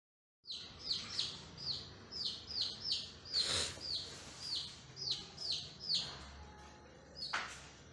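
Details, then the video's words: Several baby chicks peep steadily in high, thin, downslurred notes, about two or three per second and overlapping, with a couple of soft knocks in the background. "Chicks sound"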